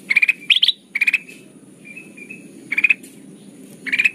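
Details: Kutilang emas, a golden bulbul, calling for a trapping lure: short rattling bursts of quick pulses, one climbing in pitch, separated by soft faint piping notes, over a constant high hiss.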